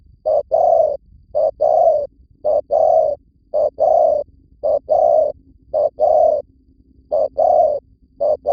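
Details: Spotted dove used as a lure bird in Vietnam, giving low, soft hooting coos in steady repeated phrases. Each phrase is a short note followed by a longer, fuller coo, repeating about once a second against quiet surroundings.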